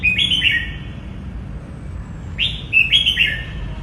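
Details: Red-whiskered bulbul giving two loud, lively whistled phrases about two seconds apart, each a quick run of bouncing, slightly descending notes, against faint low rumble.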